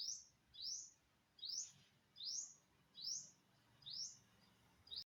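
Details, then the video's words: Unidentified bird recorded on September 27, 2022, giving short, high, sharply rising chirps, each a quick upward slur, repeated about every 0.8 seconds for seven notes over a quiet, faintly rumbling background. "Successfully Recorded the Bird Sound"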